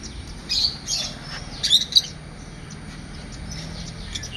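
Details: Parrots and parakeets give short high chirps in loose groups, strongest around the first two seconds, then thin out into sparse faint tweets against low background noise.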